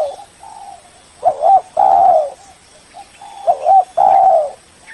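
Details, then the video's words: Spotted dove, cooing as a lure to call a rival. A soft lead-in coo, then a loud clipped double note and a long mellow coo, repeated twice in steady rhythm. "Suara burung Tekukur pikat paling ampuh, memanggil lawan"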